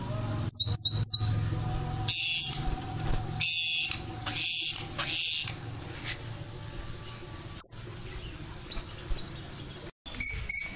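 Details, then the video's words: White-crowned forktail calling as a lure sound, giving shrill, hissing screeches in bursts of about a second mixed with thin, high whistled notes over a low steady rumble. "Suara pancingan Kacer air / Meninting besar gacor"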